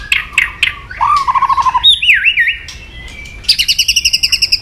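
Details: White-rumped shama provocative song: sharp notes, a short rapid trill, a looping whistled slur, then a fast high repeated trill to finish.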